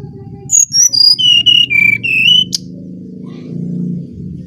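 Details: Bali Brown-chested jungle flycatcher giving a flute-like lure song: about eight pure whistled notes stepping down then slightly up, ending with a sharp click, over a low humming background.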